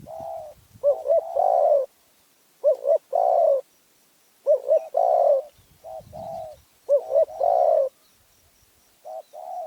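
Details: Spotted dove from Phrae, Thailand, singing in a small, fierce voice: short phrases of low, soft cooing notes, each opening with quick stuttered coos before a longer drawn coo, about four phrases in ten seconds, with faint low background rumble.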